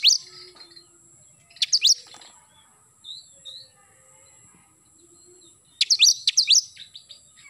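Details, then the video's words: Oriental magpie-robin in morning song, gacor nembak style: brief loud clusters of fast rising chirps open and close the passage, with soft scattered whistles between them and a thin constant high tone in the background. "KACER GACOR pagi hari nembak"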